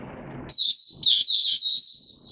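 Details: Male white-eye, open singing session of 31 December 2021: one continuous high, bubbling warble of rapid slurred notes trailing into a thin sustained tone.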